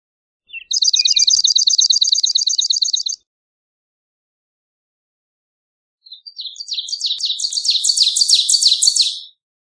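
Two Swamp Sparrow songs, each a slow, even trill of rapidly repeated sweet chip notes lasting about three seconds; the second rises in pitch and loudness.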